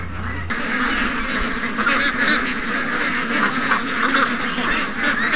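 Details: Over 700 ducks and geese rushing out in the morning, August 12th, 2015; a brief low hum at the start gives way to a thick, steady chorus of quacks and honks.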